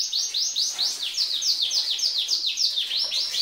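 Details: Female canary in male-style song meant to stimulate males: steady series of bright descending slurs, roughly three per second, evenly repeated.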